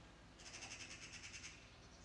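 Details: Eurasian magpie parents calling continuously near a young bird that cannot yet fly, perched atop a high lilac bush while a cat threatens it; a rapid dry rattling chatter of about a dozen notes lasting one second.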